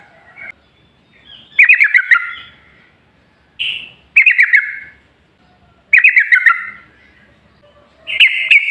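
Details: Lure recording of a yellow-vented bulbul singing to prompt other bulbuls to answer: rich, gurgling burst-like phrases repeated at uneven gaps of about two seconds, each a quick descending cascade of liquid notes, with brief clearer whistles between.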